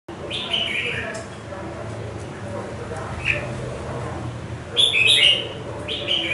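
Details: Caged red-whiskered bulbul, wild-caught and five months in a cage, sings short bright warbled phrases at about 0.5, 5 and 6 seconds, separated by quieter gaps over a low steady background hum.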